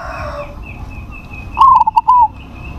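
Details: Single loud phrase from a crossbred zebra dove: a rapid broken series of mid-pitched coos ending in a longer held note, with faint steady high tones from another sound source and low background murmur.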